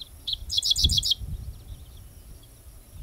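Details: A Dickcissel (Spiza americana) at Goose Lake Prairie on 7-05-2014 sings two sharp opening notes, then a quick dry series of five buzzy chips, with low wind or handling noise underneath.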